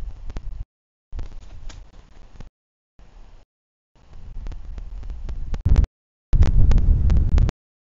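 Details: Broken bursts of wind and handling noise, rumbling and crackling, separated by short stretches of silence, with no animal voice.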